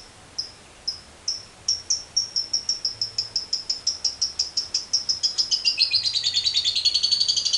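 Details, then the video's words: Lovebird singing in the 'ngekek panjang' long-trill style: high, spaced chip notes that speed up steadily and run together into a rapid, continuous chattering trill. "LOVEBIRD NGEKEK PANJANG"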